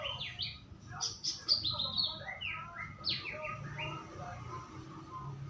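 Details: Lure recording of white-rumped shama song meant to get a bird singing, a rapid run of sharp, high, falling chirps and whistles in quick succession, with faint low background noise.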